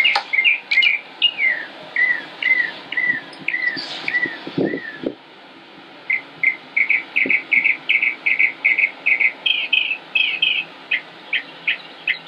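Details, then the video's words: Song of a Northern mockingbird, Concord, North Carolina, United States, 05-25-16: hooked whistled phrases repeated several times, a brief low thump, then a fast series of even chirps repeated about twice a second. "Northern Mockingbird Just Sings and Sings and Sings"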